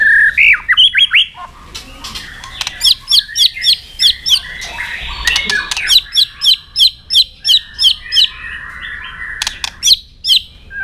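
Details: White-rumped shama fighting song with tail-snapping, for training: a few opening whistles, then a harsh, buzzy note repeated steadily about twice a second for several seconds, with loud clicks among them.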